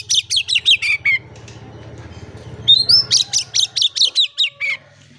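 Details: Oriental magpie-robin in full song, played as a lure to get silent birds singing: quick series of harsh chattering notes, a gap with low background hum, then a clear rising whistle leading into another rapid burst.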